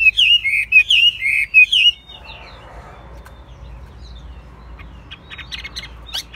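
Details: Chinese hwamei, a caged bird kept for song and fighting, gives a quick run of loud warbled whistles for two seconds, then falls mostly quiet with faint scattered chips.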